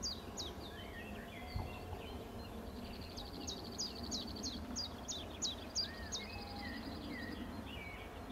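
A Common Chiffchaff gives a rapid series of short, high, sharply falling notes, about three per second, over a steady low rumble and other birds' soft whistles.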